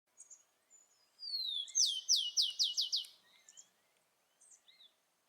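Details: Wild rufous-collared sparrow singing in nature: a long high whistle slurring downward, then five quick down-slurred notes in a rapid series, with a few faint chirps of other birds before and after.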